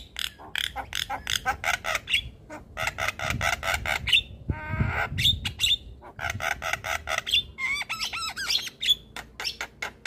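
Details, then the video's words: Lively Javan myna song, played to stressed or silent mynas to make them sing: long series of harsh rasping notes, sharp whistles, and a burst of lower chattering near the middle. "Jalak kebo gacor"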